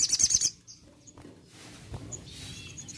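A crested jay gives a half-second burst of fast, high, rattling chatter, then a few faint high notes over a quiet background.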